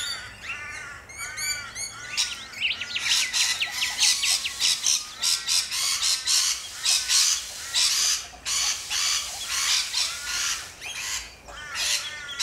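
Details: A flock of rainbow lorikeets in Australia screeching loudly, a continuous din of harsh, rasping squawks repeated rapidly by many birds, after a few opening chirps.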